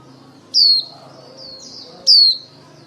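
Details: White-eye female used as a lure to call the flock for trappers: two bright, high whistled notes dropping in pitch, about 1.5 seconds apart, with a soft wavering note between them.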